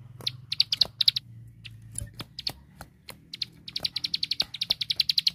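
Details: Ciblek sawah (bar-winged prinia), recorded as song material for caged birds: scattered short chirps and clicks at first, then a quickening run of sharp, high repeated notes in the final second and a half.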